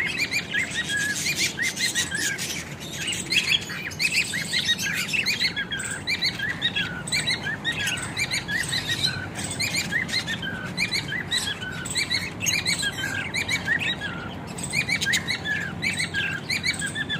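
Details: A dense chorus of budgies and lovebirds in an aviary in Juhapura, Ahmedabad, with small parrots chirping, chattering and calling over one another.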